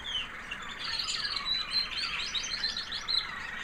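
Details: Female American Singer canary, a white proven hen from 2009 that raised young the previous year, singing after the molt: a high, sweet little song of rapid warbled and chirping notes, sliding up and down.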